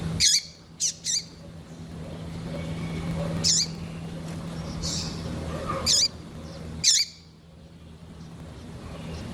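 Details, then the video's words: Female double-collared seedeater calling, a bird used to excite males: short sharp high chips, single or paired, every one to three seconds, over steady low hum and background noise. "Fêmea de Coleiro piadeira Para Esquentar coleiro"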